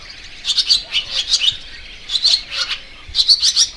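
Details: Barn swallow uttering three clusters of quick, high, squeaky chirps about a second apart, each cluster of four or five notes.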